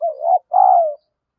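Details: Decoy spotted dove goading a rival, one short cooing phrase: a dipping, quavering note followed by a smooth, slightly falling longer coo.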